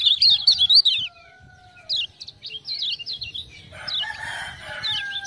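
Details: Lemon-bellied white-eye from Lombok, kept as a tutor bird and stirred to sing by ciak-ciak calls: a loud opening trill of rapid wavering notes, then scattered high chirps and a lower, rougher chatter toward the end.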